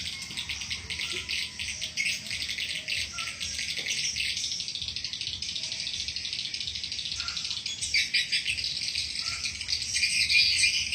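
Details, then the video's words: Attraction call for swiftlets: a steady stream of fast, high, buzzy chirps, many overlapping, pulsing rapidly, with a few faint lower tones and weak low hum. "SUARA PANGGIL & TARIK BURUNG WALET"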